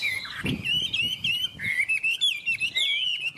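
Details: Hwamei singing a continuous, fluid warble of sliding whistles and twittering flourishes, with a soft knock or thump heard near the start.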